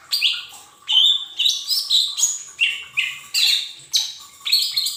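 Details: Lure recording of a Lesser green leafbird for untrained cage birds: a lively run of loud, sweeping whistled phrases, about eight in five seconds, each with a sharp start and fading tail, and a faint background hum.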